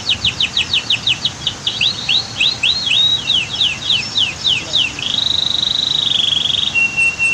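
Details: Canary singing by a waterfall and dam in natural surroundings: rapid repeated downslurred notes, then a long steady whistled trill that drops to a lower held tone, over a soft background rush of water.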